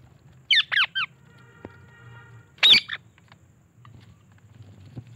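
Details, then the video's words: Parrots kept as talking birds. Several short, bright, rising-falling squawks and whistled chirps in a quick burst, then one louder harsh squawk, over a low steady hum. "My Lovely Talking Parrots"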